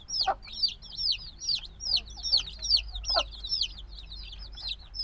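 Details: Freshly hatched black chicks, very noisy and still needing warmth from the mother: rapid high cheeping, bright falling notes from several chicks overlapping steadily, with a couple of muffled lower knocks.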